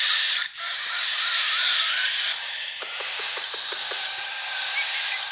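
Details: Young hand-fed cockatiel begging with a loud, continuous raspy buzz, with a short dip early on and a series of quiet low clicks midway.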